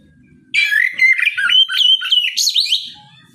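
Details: Loud morning singing of an Oriental magpie-robin aimed at provoking rivals to answer. A dense run of chattering, whistled notes with fast up-and-down slurs lasts about two and a half seconds, with faint low rumble around it.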